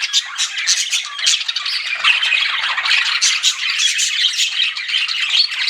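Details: Chirping pet budgerigars, reportedly flirting, make a busy wall of sound: scratchy warbling, thin squeaks and clipped chirps from several birds blending together without a break.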